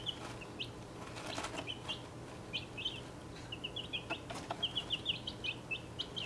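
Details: Mixed-breed chicks about a week and a half old in a travel box: scattered high peeps building to a steady chatter, with fluttering and tapping sounds throughout.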